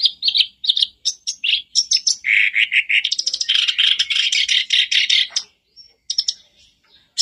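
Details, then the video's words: Black-browed reed warbler song used to make a caged bird sing: quick scratchy notes building into a long buzzy, rattling run of about three seconds, then a few scattered chips. "Buat pancingan harian kerak basi macet pasti langsung on,bikin kerbasmu gacor"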